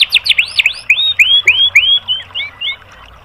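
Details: Tutor song of a white-rumped shama for caged-bird training: a run of about a dozen slurred whistled notes, each sweeping up and down, gradually fading and dropping slightly in pitch.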